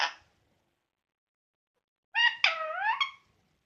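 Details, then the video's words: Pet parrot sounding off before sleep: a brief raspy note, a long silence, then a drawn-out nasal, wavering squawk rising and falling in pitch, in a quiet room. "My Parrot Making Different Sounds Before Sleeping"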